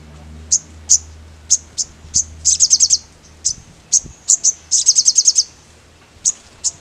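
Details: Mangrove blue flycatcher singing vigorously: thin, very high single chips scattered through the clip, broken by two quick runs of five to seven sharp, evenly spaced notes, over faint low hum.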